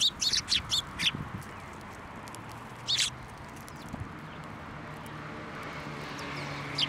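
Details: Sparrows landing on a hand for food at a Tenmangu shrine, 21 December 2023: a rapid flurry of five bright chirps opens, a single chirp follows later, with rustling and low ambient rumble throughout.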